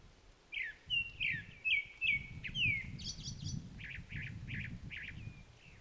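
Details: Grey-backed thrush singing at Sobeol (Upo Wetland) Otter Marsh, where Chinese milk vetch blooms: five clear whistled notes sliding downward about every half second, then a high thin twitter and a run of quick repeated chirps, with low ambient rumble.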